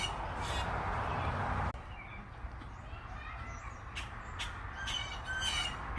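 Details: In the evening, at a garden where a robin nests in a grapevine, Blue Jays and grackles arrive. After a loud rush of wind or handling noise come a few short bursts of harsh, raspy Blue Jay screeches, with other birds likely calling nearby.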